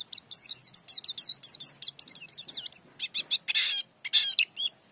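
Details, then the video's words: A white-eye pours out a fast, high twittering song of quick slurred whistles that runs without pause before breaking into sharper, scattered chips. "Pleci Dakun Ngerol Gacor Bongkar Isian"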